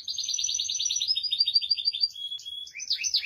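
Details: A Spanish Timbrado canary sings rapid metallic trills, a fast series of about ten notes per second, then a sustained whistle and twittering flourishes.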